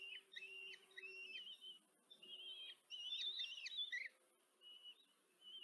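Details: Four common kestrel chicks beg while their mother feeds them at a camera-watched nest, Tiszanagyfalu, Hungary, July 2023: bursts of shrill, wavering twittering calls in clusters, fading to single thin squeals near the end, with a faint steady hum.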